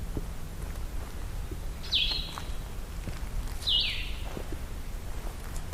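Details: A Blue-headed Vireo on the Hickory Creek Wilderness trail sings two short, sweet, slurred phrases, similar to a Red-eyed Vireo's but sweeter, about two seconds apart over a steady low rumble of background noise.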